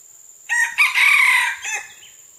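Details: Red junglefowl recorded on June 12, 2011, giving a crow: two short rough opening notes, then a drawn-out, slightly falling middle note and a clipped final syllable, all within about one and a half seconds, over a steady high-pitched background whine.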